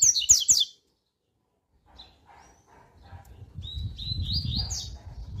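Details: Coleiro (double-collared seedeater) in a 'tui tui' style warm-up song recording. A short clipped tail of a high chirping phrase opens, then a quiet gap, then a new phrase of thin rising whistles begins over a low rumbling hum.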